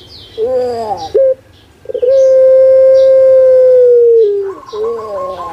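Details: Indonesian puter pelung dove kept in Java, singing: a gurgling coo and a short clipped note, a gap, then a long smooth level tone held over two seconds, dropping into another rough gurgled phrase.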